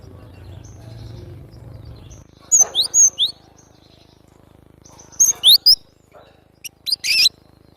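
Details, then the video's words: Cinereous tit (glatik batu) in lively song: after two seconds of low background hum, three groups of high sweeping whistled notes arrive a few seconds apart, the last mixed with a harsh burst. "Suara asli burung glatik batu gacor"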